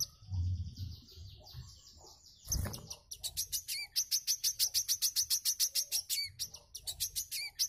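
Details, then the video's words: Wiceh song used as training song for cage birds: high, thin twittering gives way to a fast run of sharp chips, about three or four each second, with a brief thump midway. "WICEH MBESET AJIB"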